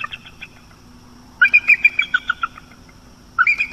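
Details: Bald eagle pair at their nest on the northeast coast of Florida at night, 15 October 2022, one giving a run of high, thin, chittering notes in two bursts over a faint steady hum.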